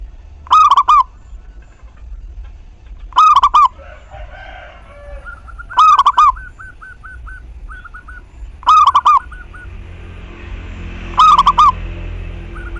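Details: Local zebra dove singing steadily, meant to stimulate other doves to sing: five rolling, pulsed coos repeated roughly every two and a half seconds, with faint softer chirps and short notes in the background.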